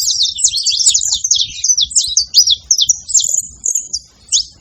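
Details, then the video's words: Several saffron finches being noisy, giving a rapid, loud run of sharp, high chirps and short zipping notes that slow toward the end, with a faint low rumble underneath. "Canarinhos da terra fazendo barulho"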